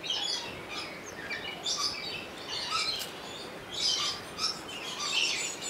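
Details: Rainbow lorikeet at Opole Zoo, recorded on a Sony HDR-XR160E camcorder: dense, harsh, high screechy chatter in overlapping bursts, nearly continuous through the clip, with a faint lower squeak now and then.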